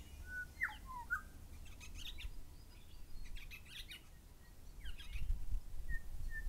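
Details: Two grey shrike-thrushes calling: a clear whistle slides down, then a short upturned note, with bursts of harsh high chatter from other birds midway and a final pair of level whistles.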